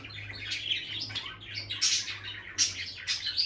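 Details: Bonded pair of peach-faced lovebirds, female visiting the nest box, giving soft, harsh high chirps in uneven bursts with a faint low hum behind.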